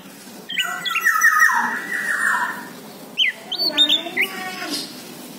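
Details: Orange-headed thrush song meant as a lure for other birds to reply: a harsh, buzzy, drawn-out phrase first, then a quick run of short sharp whistled and chirped notes.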